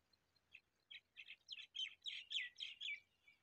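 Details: Single female quail calling, used for hunting; a series of about ten short, buzzy chirping notes that grow louder and come roughly every quarter second in a quiet setting.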